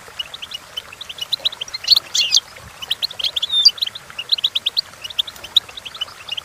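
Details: Goldfinch song used for teaching goldfinches to sing: rapid, twittering high chirps and short trills in quick bursts, with a brighter buzzy flourish near the middle and continued tinkling notes to the end.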